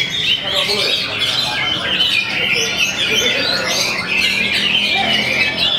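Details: Oriental magpie-robin kept in a cage on the hanging pole, singing steadily and showing its repertoire; continuous high, scratchy chatter and quick whistles fill the recording, overlapped by other birds and faint talk.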